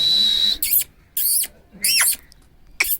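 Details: An angry Alexandrine parakeet lets out four short, loud, raspy screeches about half a second apart, each with a downward-bending harsh tone, after a steady high whine.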